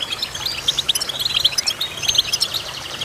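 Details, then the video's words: Goldfinch chirping: bright, clipped high notes strung into quick twittering phrases, a short pause around the middle, then another burst of rapid notes. "Goldfinch Chirping"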